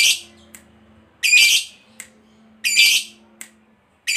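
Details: Lovebird of the fighter kind, played as a lure to make birds respond: three loud, rasping squawks about 1.4 seconds apart, each followed by a sharp click, over a soft low hum.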